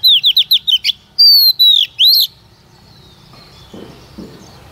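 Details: Oriental magpie-robin female used as a lure to make males sing: a fast string of about eight short looping whistles, then two long, slightly falling whistled notes, before fading into soft background noise with faint low calls.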